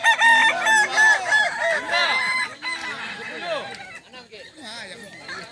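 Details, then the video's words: Roosters of the Kokok Balenggek breed in a crowing contest at a Solok Regency dairy farm, strong overlapping crows of many short stepped notes, loud at first and fading into scattered calls. "Lomba ayam kukuak balenggek di sirukam dairy farm kab solok"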